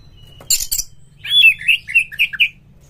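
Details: Oriental magpie-robin (kacer) in full, harsh-material song used as a lure to prompt other magpie-robins to sing and fan their tails: two rasping bursts, then a quick run of whistled, slurred notes bending up and down.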